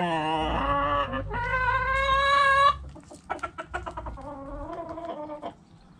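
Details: Backyard chickens: a loud, drawn-out harmonic rooster crow in two parts over nearly three seconds, followed by a run of short, choppy hen clucks that fade toward the end.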